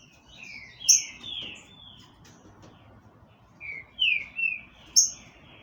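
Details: Captive-bred green-winged saltator delivering loud, slurred whistled notes in two clusters, with bright high clicks at the start and end, against low background hiss.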